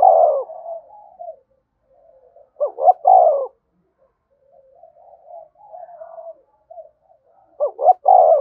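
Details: Spotted dove cooing, played to stimulate other doves to coo. Loud cooing at the start, then two full phrases of a rapid double rising note and a drawn-out descending coo, separated by low, quiet murmuring notes.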